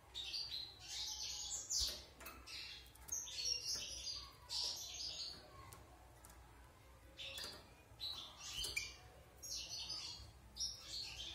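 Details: Caged wild European goldfinch, out of its moult and six months in the cage, gives bursts of high jingling twitters and buzzy notes, separated by brief quieter gaps, over a soft background hiss.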